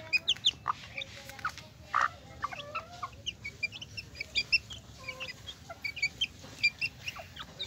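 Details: Chicks peep busily in high, brief notes beside their hen, who gives a few lower, throaty clucks near the two-second mark, one bending downward in pitch.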